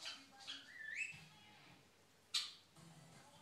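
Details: Six-month-old female quaker monk parrot kept as a pet, chatting indoors; a rising whistled, speech-like phrase followed by a sharp loud squawk, with a woman's voice asking for a raspberry afterwards.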